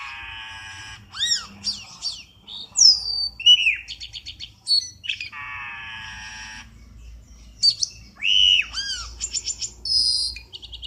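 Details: Black-winged starling lure call used for trapping birds: harsh buzzy bursts alternate with rising and falling whistled notes, sharp chirps and long broad rasping phrases, over a faint low hum.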